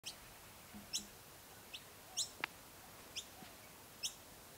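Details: Noisy miner at its nest giving sharp, high chips, about six over four seconds at an uneven pace, with one louder snap between and a soft background hiss.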